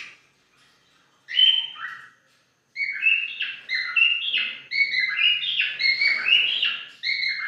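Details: A white-faced cockatiel whistles a tuneful phrase of clear notes that step up and down in pitch.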